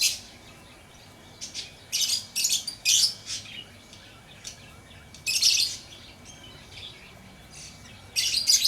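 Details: Lovebird chirping in short harsh high-pitched bursts separated by quiet gaps, roughly every one to three seconds, over a steady low background hum.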